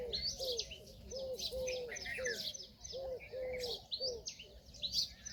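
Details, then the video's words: Indian peahen calling in brief arched notes, some drawn out longer, in loose groups across five seconds, with sharp high chirps from surrounding small birds. "Peahen bird the Indian peacock/most clear sound"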